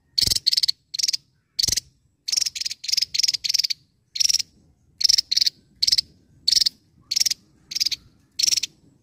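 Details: Javan tesia singing: loud, high buzzy bursts repeated in quick clusters of two to four notes, with brief silent gaps between groups, faint background murmur.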